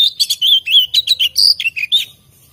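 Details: Oriental magpie-robin (kacer) from an enthusiast's collection singing vigorously: a rapid run of short, clear whistled notes and slurs, about a dozen in two seconds, varying in pitch and ending abruptly.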